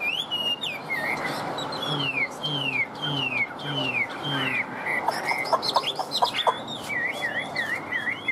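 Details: Kept Chinese hwamei described as a long-bodied show bird in peak singing form, giving loud slurred whistles that sweep down from high to mid pitch and repeat about every half second, followed by a few sharp clicking notes and chatter.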